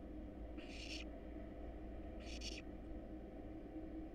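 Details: Wild barn owl nestlings in a monitored nest box, hungry while being fed a rat and a rabbit: two harsh, breathy hissing bursts, each under half a second, over a steady low hum.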